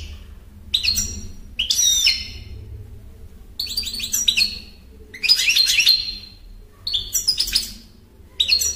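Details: European goldfinch delivering a series of bright, tinkling twitter phrases mixed with buzzy, rippling trills, repeated in bursts roughly every second or two, with a faint background hum.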